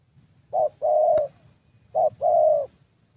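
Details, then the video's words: Spotted Dove, young thổ type, decoy session in Gia Lai, Vietnam; two low mellow coo phrases, each a quick note then a long steady one, with a single sharp click between. "Thổ Tơ Âm Giọng Khá Tốt"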